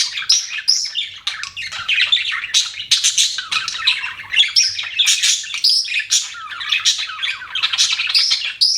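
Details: Budgerigar in captivity chattering nonstop: rapid, scratchy twittering mixed with sharp chirps and squawky notes, steady and lively throughout.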